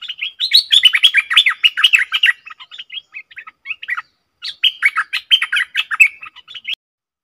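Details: A caged Stripe-throated bulbul (Pycnonotus finlaysoni), recorded 7 June 2021, sings fast, chattering, bubbly phrases of mid-high notes in two long bursts separated by a brief pause.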